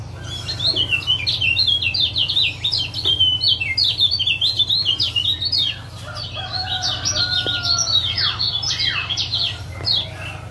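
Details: Lemon-bellied white-eye male, Lombok form, calling ciak ciak to wake a silent caged male into song: long runs of rapid, high, jerky chirps with brief breaks and a few lower slurred notes, over a steady hum.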